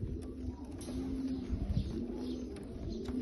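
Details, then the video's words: Bulgarian pigeons cooing in low, soft overlapping rolls throughout, with several birds calling at once and a steady background hum. "حمام بلغاري عبسي"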